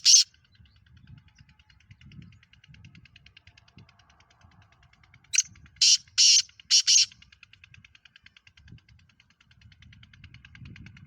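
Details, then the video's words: Black francolin (Kala Teetar) from Pakistan, a hobby bird, gives one harsh grating phrase of five loud broadband rasping bursts, the first short and the rest longer. A sharp note opens the clip, and faint low rumbling runs underneath. "Kala Teetar Pakistan fastest black Franclion"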